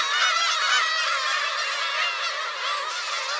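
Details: Many black-tailed gulls clamour near a shrine on Friday, 10 July 2015, their harsh mewing calls overlapping into a steady, crowded chorus.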